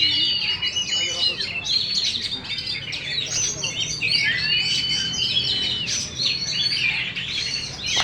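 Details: Oriental magpie-robin in a cage, champion of song contests, tail spread wide: rich, rapid medley of whistles, trills and buzzy notes, with longer clear whistled slurs in the middle.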